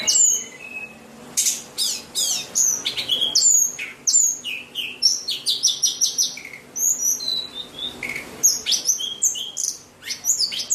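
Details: White-rumped shama singing a long varied song: sharp downswept notes, clear ringing whistles, fast repeated chips and trilled runs, with phrases changing every second or two.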